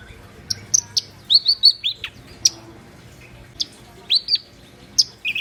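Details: Black-browed reed warbler singing actively, with spaced high ticks, a quick string of slurred downward chirps, and more scattered sharp notes and squeaks across a soft humming background.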